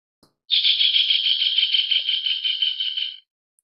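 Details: Java Kingfisher (Halcyon cyanoventris) giving a harsh, rapid rattling trill that holds steady for about two and a half seconds. A faint click comes before it, and the background is otherwise silent.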